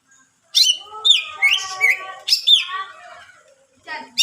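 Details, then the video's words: Greater green leafbird singing richly to provoke other leafbirds into song: loud whistled notes sweeping down from high pitch, then a run of rolling, harmonic-rich warbled phrases, a pause and a final sharp note. "cucak ijo gacor full isian mewah rayu c ijo lain bunyi"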